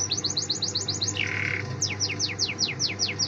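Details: Canary song: a quick string of descending chirps, a short buzzy trill, then a slower run of spaced downward-sweeping whistles, with a low steady hum beneath.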